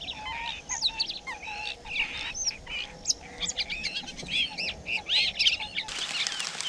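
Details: Laughingthrushes caring for nestlings outdoors in the rain: rapid high chirps and bent, slurred whistles tumble over one another without a set rhythm, clear above a soft hiss.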